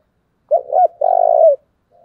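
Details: Decoy spotted dove, calling to provoke wild rivals, utters one clear phrase: a doubled short hoot followed by a sustained, throaty coo that dips at the end, in quiet surroundings.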